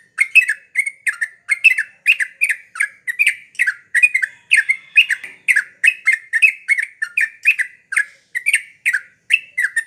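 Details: Yellow-vented bulbul in energetic song, repeating clipped, downward-slurred warbles at a brisk, regular pace of about two per second, each note with a snapping start; background quiet.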